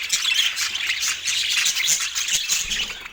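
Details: Parakeet chattering during an autumn morning meal in natural light, a constant high twittering mixed with scratchy squawks and quick chirps.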